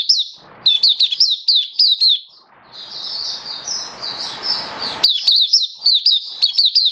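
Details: Caged Oriental white-eye giving its open-style display song, 27 October 2022. Rapid high chirps, then a long, dense, twittering warble over a rushing noise burst, ending in more sharp falling notes.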